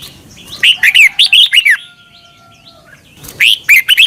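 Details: Thai Red-whiskered bulbul song used to teach caged birds: a phrase of about seven quick, liquid notes that rise and fall, then over a second of quiet before the next phrase begins.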